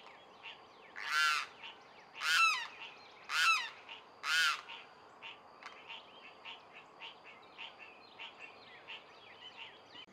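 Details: Limpkin at Culinan Park in Houston, Texas, recorded on April 14, 2024: four loud, harsh wailing cries with rich harmonics, spaced about one second apart. Fainter chirps from other birds and background noise follow.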